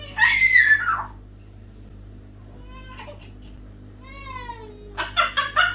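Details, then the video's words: Pet parrot indoors during its morning chatter: a loud harsh squawk, a few faint whistled tones, then a rising-falling whistle and a burst of rough squawks at the end; steady low hum in the room. "Parrot Singing Spongebob Song"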